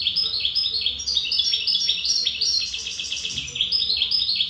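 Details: European goldfinch, called a wild (khaloui) bird, delivering a quick, tumbling song of high liquid twitters and repeated trilled phrases without pause, over a faint low hum.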